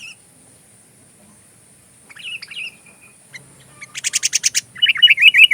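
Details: Sooty-headed bulbul in song, recorded as fill-in material for training magpie robins: a soft wavering phrase, then a fast, dry, buzzy rattle of repeated notes, followed by a loud, bubbly warble.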